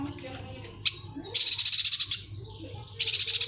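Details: A yuhina sings on a tutor recording for training other cage birds. A sharp high chip is followed by a fast, pulsing, high-pitched trill of about a dozen notes, then a pause and another rapid trill, over a low background hum.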